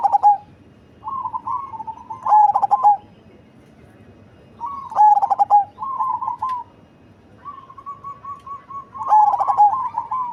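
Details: Perkutut cemani zebra dove with big body and bass-heavy voice repeating its song about every three seconds: soft rolling coos leading into loud pulsed phrases that end on held notes.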